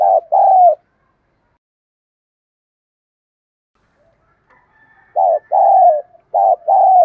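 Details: Decoy spotted dove calling to draw in wild doves: one paired coo of a short note and a longer descending note, a pause of about four seconds, then two more such pairs in quick succession.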